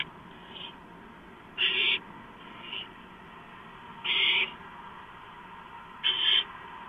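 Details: Barn owl nest at night, 2 April 2015, as prey, a gopher, is delivered. Three loud rasping hiss-screeches about two seconds apart, with fainter softer hisses in between.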